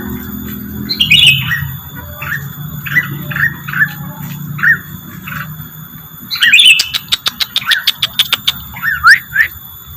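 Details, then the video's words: Rengganis lure song: bursts of short, sharp chirps near the same pitch, some doubled, with a quick run of rapid clicking ticks in the middle and a low background hum. "suara pancingan burung rengganis"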